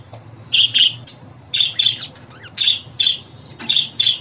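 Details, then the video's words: Pet budgie chatter played to make a budgie sing: short harsh chirps in pairs, about one burst per second, with quiet gaps between, over a constant low hum. "Muhabbet kuşu ötüşü, muhabbet kuşu çağırma sesleri!"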